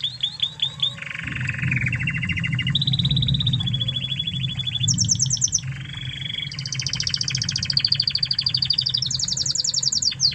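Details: Master song of a Spanish Timbrado canary originally from Spain, used to tutor other canaries: long rolling trills in successive tours, some low and metallic, others high and clear, changing pitch every few seconds over a steady low hum.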